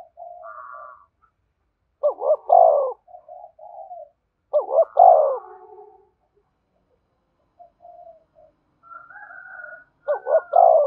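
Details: Spotted dove coo used to lure wild doves, which are said to answer and approach quickly: three loud, throaty, wavering coo phrases about every four seconds, with softer coos from other doves between them.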